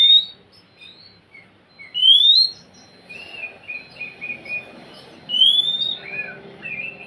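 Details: Oriental magpie-robin song aimed at a bird that will not sing: bright rising whistles, then a run of lower chattering notes, with background hiss.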